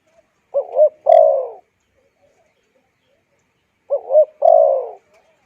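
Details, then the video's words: Spotted dove call used for training decoy birds and stirring wild ones: two phrases about three seconds apart, each beginning with a fast wobbling double coo and ending in a longer, gradually lowering coo. "Tiếng Chim Cu Gáy dùng kích Bổi luyện Mồi hay"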